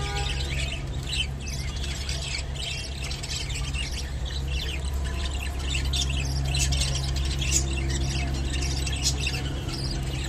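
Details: Japanese budgerigar feeding on kolmi shak (water spinach): a continuous stream of rapid scratchy chirps and squeaky twitters over a steady low mechanical hum.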